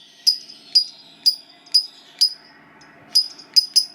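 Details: Lovebird, a fighter-type bird, uttering sharp high chips at about two per second, briefly broken, then resuming in a quicker cluster at the end, over faint low background hum.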